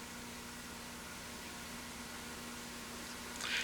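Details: Steady broadband hiss like a fan or motor, with a brief scratchy rustle near the end and no animal voice.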